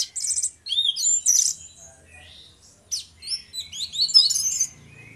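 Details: Two orange-headed thrushes (anis merah) singing in loud ngeplong style, used as a lure to make other birds sing: bright high twittering bursts with sweeping whistled slurs, a quiet gap of over a second, then another jumbled high phrase.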